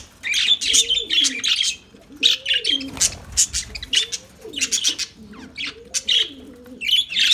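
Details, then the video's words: Bursts of piercing, scratchy lovebird chirps alternate with short pauses, while a lower rising-and-falling cooing sound repeats roughly every second in the background. "Lovebirds Sounds Lovebirds Singing"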